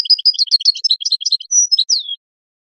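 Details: European goldfinch song meant to train singing and stimulate mating in captive breeding birds: a lively, rapid chatter of paired chirpy notes leading into a sustained high whistle and a final descending slur, about two seconds long.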